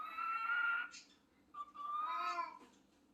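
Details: A pet parrot imitating a cat gives two drawn-out, harmonic meow-like calls, each under a second, separated by a short pause, in a quiet room.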